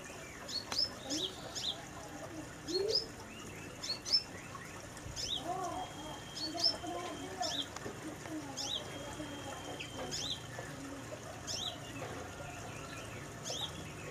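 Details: Brown-throated sunbird singing vigorously inside a small aviary cage: high, thin chirps in loose bursts, with softer lower twittering and faint background noise in between.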